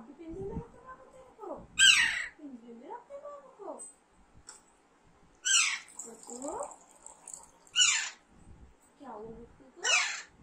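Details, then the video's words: Alexandrine parakeet kept as a pet, giving loud, harsh, downward-sweeping squawks roughly every two to three seconds, mixed with softer wavering chatter and people talking indoors. "Alexander parrot natural sound"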